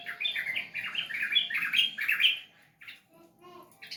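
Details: Sooty-headed bulbul pouring out rapid gurgling, chortled whistles for two and a half seconds, followed by a few soft scattered chirps.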